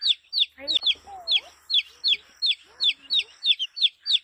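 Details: Colourful chick giving quick, high, falling peeps about three per second in a steady run, with a few faint lower slurred notes in the background.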